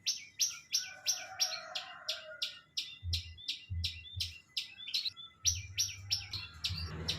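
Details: Hobby-kept long-tailed shrike singing energetically. It gives rapid, evenly repeated high chirps, about three per second, over a faint steady tone and low intermittent knocking.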